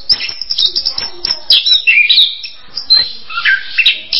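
An Orange-headed Thrush sings a rapid, varied run of bright whistles, trills and chattering notes, with phrases changing every second or so.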